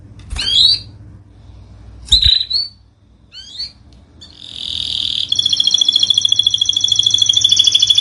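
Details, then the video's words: Canary singing in a training recording for birds that have gone quiet: a few scattered high chirps and short swept notes, then a sustained fast rattling trill running steadily to the end. "MASTERAN KENARI 002 Cocok untung burung macet BUNYI"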